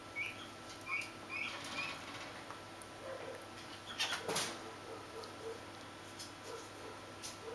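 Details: Swinhoe's pheasant chick peeping: a few high, rising chirps in the first two seconds, followed by softer, lower notes, with sharp handling clicks and rustles and a constant background hum.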